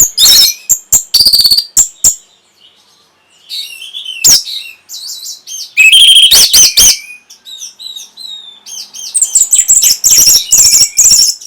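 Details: Orange-headed thrush song aimed at arousing breeding drive and provoking an answer: bursts of sharp chirps, varied whistled phrases and rapid twittering, with a brief quiet gap and a dense, busy finish.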